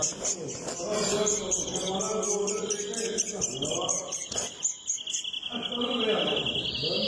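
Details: European greenfinch singing: jumbled twittering and trilled phrases at first, then a drawn-out, steady, nasal buzz near the end, over a busy background of lower sound.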